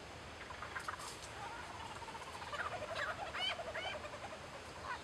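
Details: Lyrebirds mimicking kookaburras and laser guns: a low, rapid warbling chatter runs beneath sharp whistled sweeps that rise and fall in quick zaps, with a bright burst of laser-like notes near the middle, over a steady background hiss.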